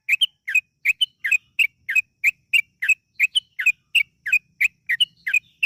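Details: Yellow-vented bulbul in long, rapid 'ropel' singing, played to make other bulbuls sing: an even stream of crisp two-part chirps, roughly three per second, very regular throughout.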